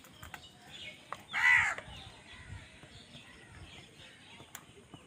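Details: Crow calling while other wild birds fight it for food: one loud, rasping caw lasting about half a second stands out against faint background chirps and ticks.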